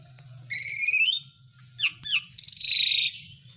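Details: Asian pied starling song used to coax lazy birds back into song: a buzzy harmonic phrase, two quick down-slurred squeaks, then a long raspy whistled note, with low background hum.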